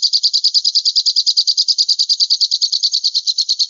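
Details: A falcon recording used as tutor audio for songbirds: a fast, high, shrill string of kee-kee notes, about three a second and unbroken throughout, with no other sounds.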